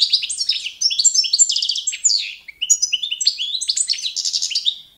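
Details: European goldfinch of the Balkan form Carduelis carduelis balcanica, competition-standard song for training: fast tinkling twitters and liquid trills, high bright notes in rapid bursts with a short pause mid-phrase.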